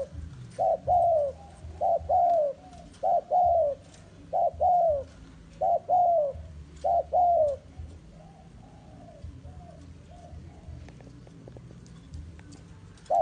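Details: Bait spotted dove used for forest trapping repeats six quick two-part coos, a brief note then a drawn-out descending one, followed by several seconds of quiet background.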